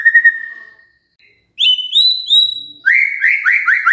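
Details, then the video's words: Magpie-robin song played as a lure: one long steady whistle, silence, then a pair of rising whistles and a fast run of rolling, slightly buzzy descending notes. "Pancingan Murai Gacor"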